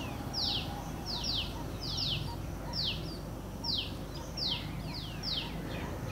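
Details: Four black fledglings of white-breasted waterhen, learning to forage in dry leaves behind their mother in a Delhi orchard: a quick series of thin, high, falling peeps, sometimes doubled, over a low steady hum; a man speaks just before.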